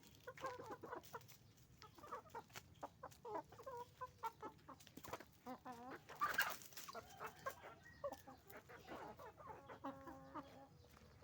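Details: Noisy chicken farm flock of hens and roosters: many rapid clucks and cackles overlap, a loud harsh squawk in the middle, and a few drawn-out calls toward the end.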